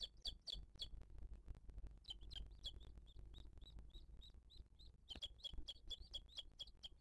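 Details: A 2023 live nest camera on a booted eagle, the mother feeding her chick while other birds harass her; a burst of shrill chirps, a softer series of thin high whistles, then another loud, fast chattering burst.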